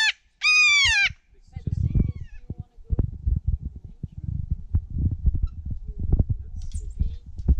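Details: Kea at Ball Hut, Mt Cook National Park, in March 2019: a single loud, drawn-out screeching call with a slight downward slide near the start, followed by low rumbling handling noise and faint murmured speech.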